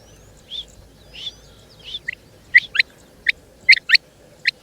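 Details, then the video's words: Female rain quail (chinga batair) starting with a few soft, drawn-out notes, then switching to crisp paired notes repeated at short intervals. "Rain Quail Calling | Chinga Batair Ki Awaz| Female Rain Quail"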